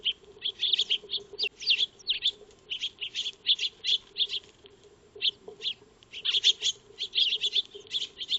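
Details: Eurasian tree sparrows called Maya birds feed in a backyard, filmed by a PIR-triggered solar trail camera; a steady stream of sharp, high tweets and chirps, some rising, repeated in tight bunches over a faint hum.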